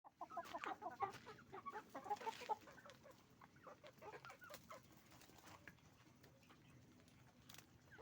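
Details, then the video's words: Roosters and hens on a chicken farm making noise; a dense flock chorus of short, overlapping clucks and squawks, loudest in the first three seconds, then softer scattered clucking over a steady low hum. "Moment of the sound of a chicken farm, roosters and hens making noise"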